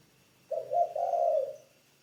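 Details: Caged spotted dove trained as a ground decoy, delivering one soft, low-pitched coo phrase: two brief hooting notes followed by a longer, steady note lasting about half a second, against near silence.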